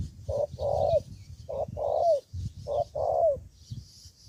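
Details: Decoy spotted dove from Cà Mau, Vietnam, challenging rivals during trapping. It repeats a two-part coo three times in quick succession, a brief note followed by a drawn-out, downward-sliding note. A faint hiss is in the background.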